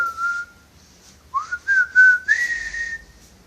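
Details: Captive parrot whistling indoors, a bird known for wolf whistles and a film marching tune: one level whistled note, a pause, then a series of short rising whistled notes ending in a long held tone.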